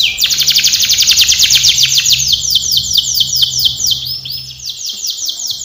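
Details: Canary singing a training song: rapid trills of repeated downward-sweeping notes, about two per second at first then slowing, high and bright, with a faint low hum underneath.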